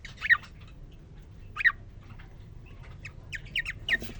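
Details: Male cockatiel, a caged parrot kept alone three days, sings on meeting a new female: scattered sharp descending chirps, a few loud notes then softer rapid twitters, over low background hum.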